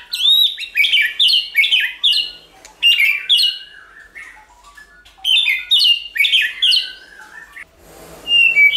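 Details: White-rumped shama song in many voices, played to excite and train shamas to sing: quick runs of bright whistled notes in bursts of four or five, separated by brief gaps, ending in a soft rustling noise.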